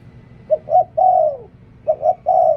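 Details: Two quick coo phrases from a decoy spotted dove, each two brief notes running into a longer, gently falling coo.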